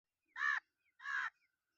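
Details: Crow giving two harsh, hoarse caws about half a second apart, each broad and raspy, with faint thin whistles from other birds in the background.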